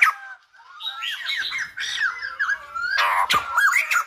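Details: Silver-headed babbler singing in a style likened to a Lumba dancer: a jumble of arched, squawky notes around the middle register, busier and louder in the second half, with a sharp click near the end.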